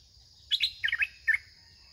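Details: Red-whiskered bulbul used in decoy trapping, singing continuously while attacking the decoy in a trap cage: a short run of bright, warbled chirps, three quick notes then a single clear note, over a faint steady high hiss.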